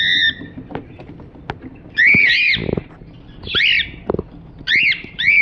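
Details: Cockatiel voicing loud, arched harmonic squawks in separated bursts, accompanied by sharp clicks and brief scratchy noises between calls.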